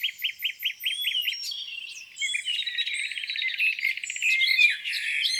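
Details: Birds singing on a spring morning by a lake: a run of quick repeated high chirps, then dense overlapping twittering and trilled phrases from several birds.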